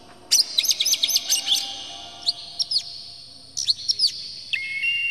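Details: Oriental magpie-robin in an aroused, tail-spreading display, its song used to stir other magpie-robins into singing. A fast run of shrill chattering notes gives way to sparse sharp whistles and a few descending slurred notes.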